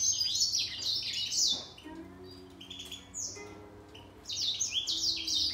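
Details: Singing fight between a grey singer finch and a green singer. Bursts of fast, high twittering and downslurred whistles open and close the stretch, with a quieter pause of scattered notes in the middle.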